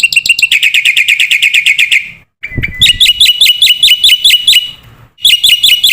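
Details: Black-winged myna song made as a masteran training recording for young cage birds: fast runs of loud, harsh repeated notes about four per second, broken by brief silent gaps and a sharp whistled phrase.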